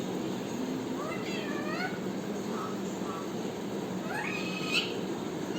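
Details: ['Parrot making short rising and wavering harmonic notes in small groups, ending with a quick upward sweep, set against continuous low background noise.']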